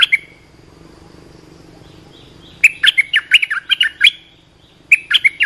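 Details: Olive-winged bulbul giving its call for teaching young birds and attracting wild birds: a clipped note, a pause, then a long run of bubbly, warbling notes lasting about two seconds and a short closing phrase.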